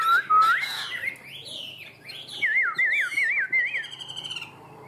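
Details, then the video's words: Chinese hwamei kept in a cage, yellow-legged and praised as a loud, good singer, opens with varied whistles and then repeats a wavy, rolling whistled motif several times in quick succession, ending quieter. "Họa mi Đẹp Chơi Cánh Chơi Đuôi, Hót Hét Tốt, Chân Vàng Bộ To"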